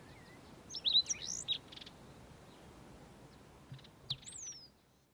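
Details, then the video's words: Yellow-fronted canary singing early on an autumn morning in South Africa: bright, high twittering phrases with quick slurred whistles and short trills in two brief bursts, over a steady background hiss. "YELLOW-FRONTED CANARY singing"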